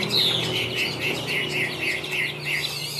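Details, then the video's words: Caged Chinese hwamei of the Tam Hoàng form giving a short series of clear, evenly spaced whistled notes, about three per second, over a steady low hum. "Họa Mi Tam Hoàng - Hót Cao Cầu, Dáng Dấp Quá Đẹp - Hót Hay Treo Ra Là Bắn"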